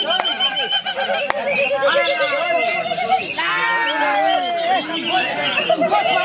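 A greater green leafbird pours out a dense, nonstop medley of rich whistled notes that swoop up and down, over overlapping chatter from other birds and faint voices.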